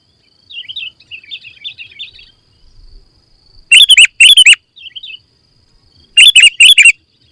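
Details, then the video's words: Full song of a sooty-headed bulbul used to make birds sing: soft chattering twitters, then two loud paired bursts of liquid chirps, repeated after a quiet gap. "Suara Kutilang Full Isian - Biar Makin GACOR"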